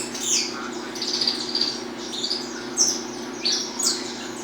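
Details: Peruvian saffron finch singing in the 'estalando' style: short high chirps and thin descending notes, spaced unevenly over a few seconds, with a steady low background hum.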